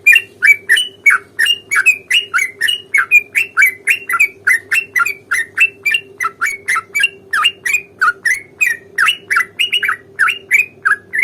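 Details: Yellow-vented bulbul in gacor fighting song with long rolling phrases, used as a lure to provoke other bulbuls into replying; loud, continuous chattering of short sharp notes, several per second, with a faint steady hum behind.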